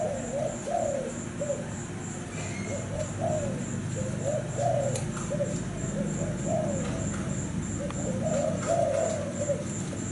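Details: Thai cream-colored zebra dove singing: soft, warbling cooing phrases repeated in a steady series of bursts about every second, over a constant high pulsing tick and low background rumble.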